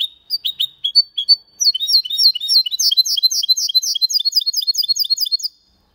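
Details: Cleanly sung Málaga-style phrase from a goldfinch × canary hybrid: several spaced high chips, then a sustained, rhythmic volley of sharp, upslurred twittering notes repeated quickly for nearly four seconds.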